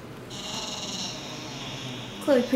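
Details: Pet twelve-year-old female Double Yellow-headed Amazon parrot, a talking and singing bird kept indoors, gives a sustained, high, even-pitched whistled tone lasting nearly two seconds, followed by a short harsh rising note, with a person's voice nearby.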